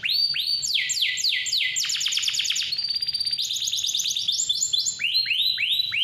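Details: Clear-voiced canary in full song, meant to coax young or quiet canaries into singing: repeated upswept slurred notes run into very fast rolling trills and return to rising sweeps.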